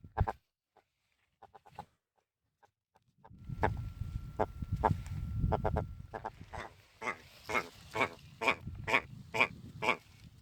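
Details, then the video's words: Wild red grouse defending territory on moorland on the north-east side of Kinder Scout above the Snake Pass, Peak District, UK, recorded up close: a run of sharp, clipped clucking notes about every half second, rising in strength, over wind rumble. "Territorial Wild Red Grouse Bird"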